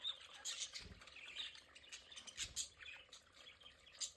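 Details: Pet budgerigars enjoying their play area: busy, high chirping chatter with short squeaky notes and tweets, bursts every half second or so, with faint low thumps around one and two and a half seconds.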